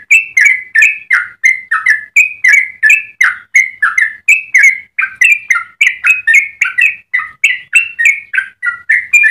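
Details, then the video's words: ['Long rapid song run of a yellow-vented bulbul, used to tutor or provoke other bulbuls: an unbroken stream of gurgling, warbled whistles, about three notes a second, shifting up and down in pitch.'] "Trucukan gacor ropel panjang cengkok termerdu untuk pancingan dan masteran"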